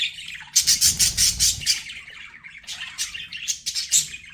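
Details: Pet budgerigars chirping in a busy flock, harsh squawky notes and rapid chatter packed at high pitch, bursts coming about four per second, with a brief low thump near the start.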